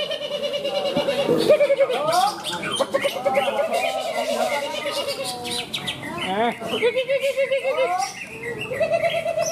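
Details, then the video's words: A greater green leafbird at a songbird competition in Malinau, North Kalimantan, where it won best bird, pours out a rich, varied song of slurred whistles, warbles and rapid trills, with crowd chatter in the background. "Cucak ijo"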